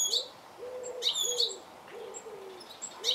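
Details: Goldfinch giving a few crisp, high chirps in pairs while a dove coos softly and steadily in the background.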